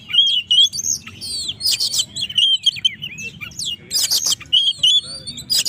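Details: Oriental magpie-robin in full gacor song meant to provoke rival birds: rapid mix of sharp whistled notes, rising and falling slurs and loud scratchy bursts, phrases tumbling one after another over a faint low hum.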